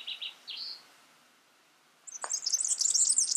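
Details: Yellow-fronted canary in the wild: a few short high chirps, a quiet pause and a single dry tick, then a rush of rapid, very high twittering notes that grows louder to the end.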